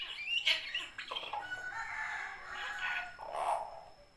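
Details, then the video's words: Common hill myna in a natural setting, calling actively: a series of harsh and tonal calls, some with clear harmonic bands, rising and falling over about four seconds against a steady background hiss. "Suara burung beo alami gacor"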